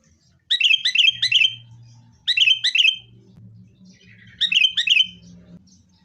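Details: Sooty-headed bulbul, fighting, recorded as a lure for caged birds: three groups of repeated bright fluty notes about two seconds apart, with a low humming background.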